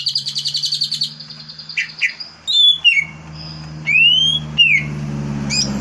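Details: Lure song of a green leafbird, used to bring out a bird's varied song: a fast rattling series of ticks, then separate loud whistles, one arching up and down, with a low hum throughout.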